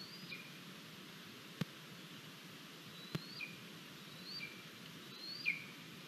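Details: Hungry female lesser spotted eagle chick begging at a Latvian nest on 28 July 2022 while fed a frog by its mother and a vole by its father: thin, high, downward-sliding whistles, about four in six seconds, over hiss and clicks.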